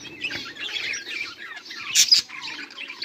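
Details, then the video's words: Several budgerigars recorded 18 July 2023 keep up a dense, scratchy chatter of overlapping high chirps and warbles, with a brighter sharp squawk burst near the two-second mark. "budgies beautiful sounds and chiriping"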